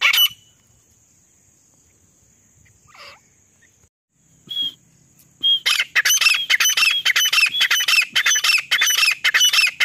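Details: A female grey francolin calls non-stop as a lure for hunting wild francolins in the jungle: a brief shrill note, then from midway a loud run of harsh, high, rapidly repeated calls, almost two per second.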